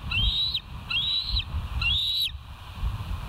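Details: Bald eagle recorded by the West End live cam on the morning of 29 September 2023, 07:05; three high, thin whistled notes, each sliding upward then dropping sharply, spaced about three-quarters of a second apart over low rumbling noise.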